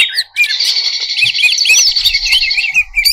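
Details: Greater green leafbird in full varied song, used to excite contest birds: an unbroken, rapid, chattering trill with quick looping whistled notes layered on top, and faint low thumps near the end.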